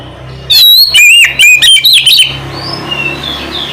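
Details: Oriental magpie-robin, known locally as kacer, calling its companion: loud rich whistled notes, rising and falling, in quick bursts for about two seconds, then fainter whistles trailing off against a low steady hum.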